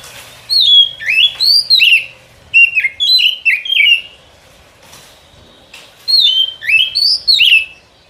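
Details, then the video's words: Lure song of the white-rumped shama for trapping in the forest: three clusters of sweet whistles with upward-sweeping and falling notes, each lasting about a second and a half, separated by short silences. "Suara Pikat Burung Kacer ini Sangat Gacor, boleh di coba pikat di hutan"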